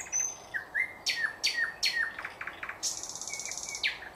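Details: Thrush nightingale singing, 2024: thin high whistles, then loud descending strokes repeated about every half second, then a sustained buzzy high phrase ending in fast rattling notes.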